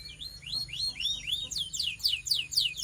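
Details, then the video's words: Belgian canary singing as it warms up, with looping whistled phrases that rise and fall, then quicken into rapid, bright descending notes over a faint low hum. "This BELGIAN CANARY SINGS BEAUTIFULLY - Warms up quickly!"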